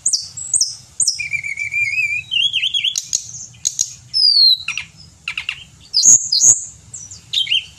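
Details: Pied bushchat in full song, recorded for training songbirds: rapid varied phrases of high whistles, wavering trills near the top and short sharp notes, with a steady low hum underneath.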